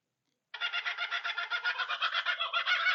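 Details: Laughing kookaburra territorial call, announcing where the bird is located, with volume changing as it calls: a harsh, rapid, laughing chatter of pulsed notes starting abruptly and rising in loudness.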